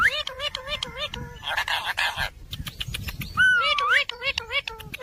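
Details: Talking parrot producing speech-like, harmonic syllables in quick series, broken by a breathy hiss and a clear, rising whistled note near the end.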